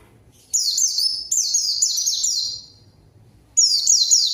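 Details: Pleci (zosterops) song played as a lure to provoke rivals and prompt quiet birds to sing; rapid high-pitched cascades of down-slurred chirps in two long phrases with a gap between.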